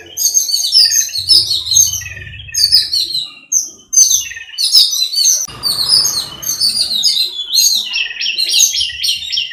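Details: Jungle babblers (Argya striata) chatter in a dense, harsh, squeaky chorus of many overlapping calls running without pause, with a brief low rumble in the background.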